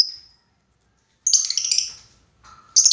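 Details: Lovebird calling out to a rival, a lure recording meant to provoke long chattering. A brief thin whistle, then a loud, harsh, buzzy shrill burst lasting about a second, and another sharp screech at the close.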